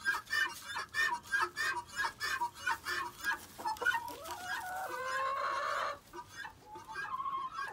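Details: Penned chickens chatting at feeding time; a regular run of short clucks about twice a second, giving way to a longer drawn-out harmonic call and softer squawks, with scratching throughout.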